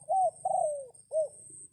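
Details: A single close crow from a decoy red junglefowl luring wild birds in the rain: an arched first note, a long drawn syllable sliding downward, then a short rounded closing note.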